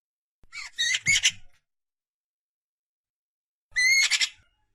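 A Eurasian magpie nestling gives two bursts of harsh, raspy squawks, each about a second long and several seconds apart, with quiet between.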